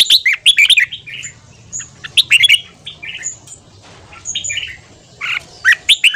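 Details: Red-whiskered bulbul giving fast ché-style morning song for voice training and stirring wild-caught birds: loud, sharp, jumbled whistled bursts in several bouts separated by softer twittering.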